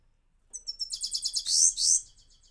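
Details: Himalayan goldfinch singing in a cage: a quick series of high, trilled chirps that speed up and run into a dense, buzzy, twittering phrase lasting about a second and a half.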